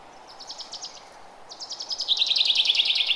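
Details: Forest bird chirping in early spring: a short burst of fast high notes, a brief pause, then a longer, louder trill of rapid, evenly spaced chirps at a steady pitch.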